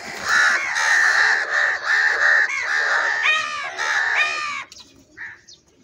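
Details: Crows calling loudly while eating food, a dense run of overlapping harsh caws for about four and a half seconds, ending in a few short, separate calls and quieter background.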